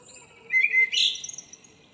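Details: Brief fragment of a local common blackbird's morning song from 2 April 2013: a short fluty note followed by a squeaky high chatter.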